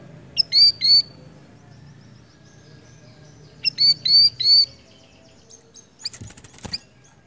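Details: Small minivet (siri-siri) giving two bursts of three high, thin, slightly rising whistled notes with buzzy edges, a pause between the bursts, then a few clicks and knocks, over a low background rumble.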